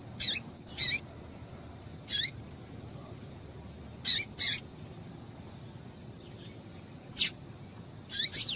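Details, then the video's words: Female double-collared seedeater calling to excite males, giving brief high piercing chips, several in quick pairs, scattered irregularly across the stretch with short pauses between, against a faint background hiss. "Piado de Fêmea de Coleiro Para Esquentar Coleiro"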